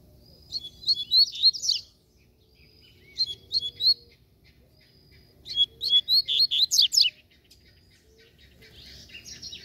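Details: Fibrado Double-collared Seedeater flying free in the wild, described as combative, repeats three short phrases of fast high chirps and twisting whistles, each separated by about two seconds of quiet.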